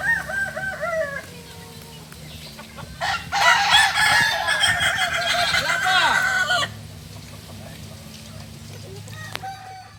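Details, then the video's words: At a crowing practice for Kokok Balenggek roosters from Solok, West Sumatra, a stepped crow opens, then a loud dense burst of overlapping rooster calls lasts about three seconds, all over a low hum. "Latberan ayam kukuak balenggek.. ayam asli solok sumatera barat"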